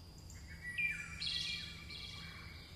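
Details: Singing chickadees: a dense burst of buzzy, layered chattering notes, several sliding downward and overlapping, lasting most of the stretch over a steady low background hum.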